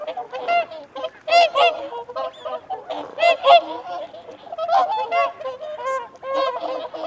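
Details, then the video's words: Whooper swans giving feeding and territorial calls, in a recording also said to include wigeon and mute swans: a dense chorus of overlapping nasal, bugling honks from many birds, in irregular bursts with no pause. "Whooper Swan. Feeding Calls & Territorial Calls"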